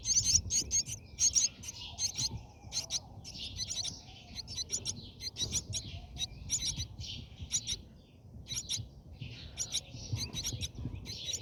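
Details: Inside a Brahminy starling nest during feeding, high scratchy chirps come in uneven runs over a steady low background hum, with a brief lull near the eighth second.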